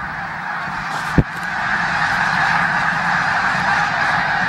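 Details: Flock of snow geese on a Pennsylvania corn field in December 2021, continuous overlapping nasal honking that swells slightly louder after a sharp knock near the start.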